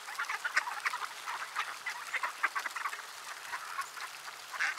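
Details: Ducks gathered in the winter cold in Sainte-Adele, Quebec, Canada, on a Tuesday afternoon in December; rapid, busy quacking from many birds at once, overlapping and crowded, with a few sharper calls rising above the rest.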